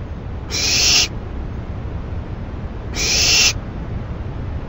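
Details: Owl at night on 28 May 2012 after a rabbit delivery; two breathy, hoarse hisses about two and a half seconds apart, separated by low background noise.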